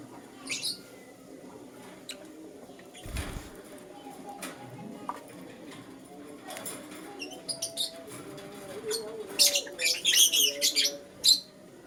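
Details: Morning chirping from a lutino lovebird: scattered shrill notes, then a rapid run of harsh, high squeaky chirps toward the end, with a low thump and faint background warbling.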